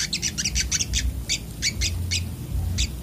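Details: Brown-throated sunbird singing in fired-up 'ngamuk' style, a rapid, dense run of high sharp chirps, about four per second, over a constant low background hum.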